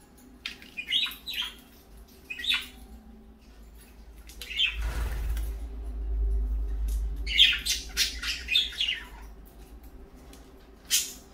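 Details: Parakeets in the morning giving short scattered chirps and squawks in brief bursts, with a low rumbling thump in the middle and quiet indoor background hum.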